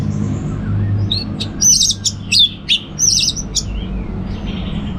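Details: Orange-headed thrush singing in the relaxed ngeplong style: a few short, bright whistled notes and chirps, then a cluster of sharp high notes near the middle, against a steady low hum.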